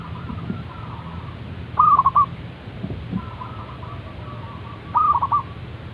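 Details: Morning calls of a zebra dove: two clear rolling coo phrases about three seconds apart over steady hissing noise, with softer distant coos between them.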